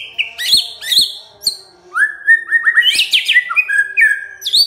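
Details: White-rumped shama song meant to provoke a silent bird into answering: bright whistled notes, upward slurs and rapid rattling trills, with a few sharp clicks between phrases.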